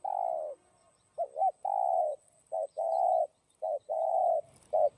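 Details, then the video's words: Spotted dove song in the giọng đồng style, meant to excite other doves. Repeated phrases of one or two quick hooked notes, each followed by a long, even coo, in a quiet setting. "Cu Gáy Giọng Đồng Chuẩn GÁY THÚC GÙ Kích Mồi Tập Bổi Ức Chế.Tiếng Cu Kích Trống"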